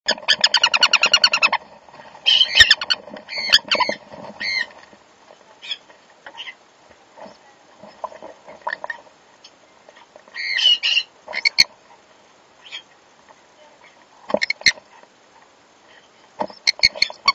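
Sun conures give harsh, grating squawks in loud bursts, with quieter chatter between.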